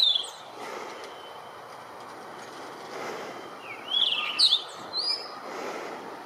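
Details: Blue rock thrush singing: a short whistled phrase near the start, then after a quiet stretch a brighter burst of clear, warbled whistled notes around four to five seconds, with a faint hiss of outdoor background noise.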